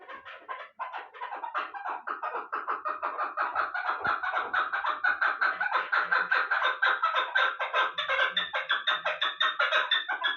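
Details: Long, accelerating chukar partridge call from a Pamir bird of Bartang, hatched the previous year and kept for hunting; steady chuk notes grow louder and more regular, forming a fast, rattling cackle.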